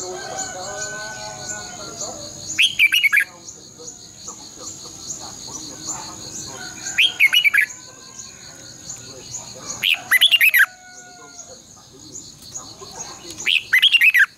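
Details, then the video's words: Red-whiskered bulbul, a recording used to train caged birds to sing, long twisted double voice: four loud, jumbled whistled phrases repeated about every three to four seconds, with continuous insect buzzing and soft background birds. "luyện chào mào hót sáng 2020 - Giọng kép xoắn dài Quá hay hót căng lửa"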